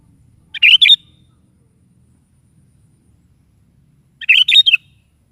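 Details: Sooty-headed bulbul in full morning song, played so a caged bulbul joins in; a short chirpy phrase, then after about three and a half seconds a longer bubbling phrase, faint low rumble beneath.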